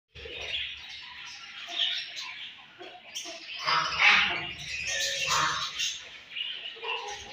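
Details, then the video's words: Pet budgerigars chirping while eating: busy overlapping chatter of warbled and scratchy notes, fairly loud throughout, with soft low clicks and pecking-like noises beneath. "Budgies Eating And Chirping Sounds"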